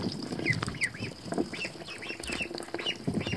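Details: Young American Pekin ducklings, not yet feathered, swimming in a tub of water, give arched, rising-then-falling peeps, several in quick succession, over splashing and rustling.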